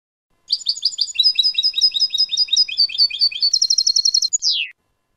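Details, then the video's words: Goldfinch singing in the clean style, recorded 2019: lively liquid twitters repeated rapidly, building into a fast high rattle and closing on a falling drawn-out whistle, in near silence. "jilguero limpio"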